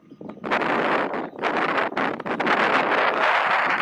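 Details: Gusty wind buffets the microphone with a broad roar and rustling, and no animal voice can be picked out.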